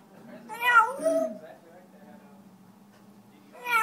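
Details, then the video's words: An African grey parrot named Omar sings two quick, voice-like phrases that bend up and down in pitch, then starts another after a short pause in a quiet room. "African gray parrot sings"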